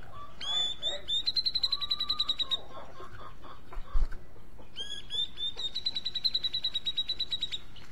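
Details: Two bursts of grey-cheeked bulbul song, each opening with a rising note and running into a long, fast trill of bright, evenly repeated notes; a lower whistle and a brief knock sound between them.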